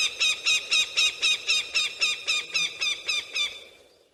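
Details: Bird of prey calling, falcon or eagle, played to drive pigeons away without harm: a steady, fast run of harsh, piercing notes, roughly four each second, fading out at the end.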